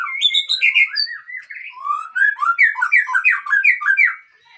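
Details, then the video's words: Aceh white-rumped shama, a top-grade breeding bird, singing rich fluting whistles that rise and fall, then a fast, dense series of rolling, warbled notes before fading out at the end. "Murai Aceh"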